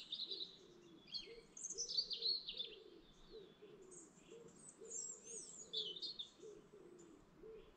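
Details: Morning chorus at a lake in the Lake District National Park: varied high whistles and twitters overlap, while a low warbled note repeats steadily about twice a second beneath them.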